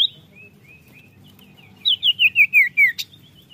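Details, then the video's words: Common iora song used as a lure for caged birds: faint thin whistles, then a quick run of six loud, clear whistled notes, each sliding downward and the series falling gradually in pitch, ending with a sharp click. "PANCINGAN BUNYI CIPOW"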